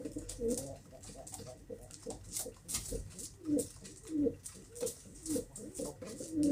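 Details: Soft, quiet pigeon coos, short low notes repeated roughly every half to one second, with faint rustling and clicking in the background.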